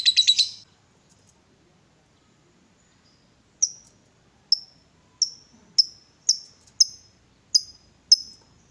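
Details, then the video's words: Caged lovebird, provoked into excited calling, gives a brief harsh buzzy chatter burst, then after a pause a run of sharp high chips repeated about every half second, quickening toward the end. "Lovebird diam langsung Nyambar, Emosi Naik Gacor Ngetik Lanjut Ngekek"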